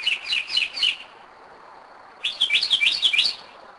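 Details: At 2am in Kennesaw, Georgia, a Northern mockingbird sings a short set of doubled chirps, pauses about a second, then delivers a faster jumbled run of rising and falling notes.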